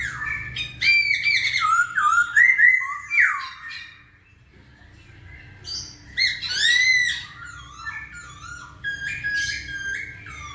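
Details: Masked laughingthrush singing vigorously, used to draw lazy birds into song: bursts of looping, slurred whistles with harsh overtones, separated by short pauses.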